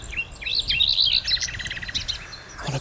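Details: A Common Nightingale sings from a branch on an early morning in Norfolk, among warblers: a rich phrase of high sweeping whistles, then a rapid run of repeated, chattering notes. Faint background hiss and a brief low sound at the end.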